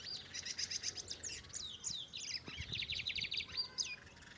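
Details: Bigodinho, the lined seedeater, delivers a continuous torneado-style song of quick high chirps and buzzy repeated notes, several rapid trilled phrases back to back, ending in a slurred downward note, with a quiet noisy background.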